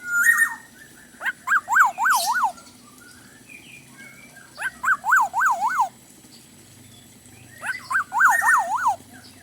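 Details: Black-naped oriole singing an abundant fill-in repertoire in a chatty style: three bursts of quick zigzagging fluty whistles, each of about four up-and-down notes after a sharp opening note, repeated roughly every three seconds.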